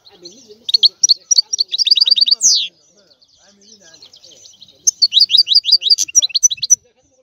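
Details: European goldfinch song: bursts of quick, high twittering notes and short rattling runs, a sharp upward-sweeping note, a pause with faint murmuring, then another rapid tinkling series.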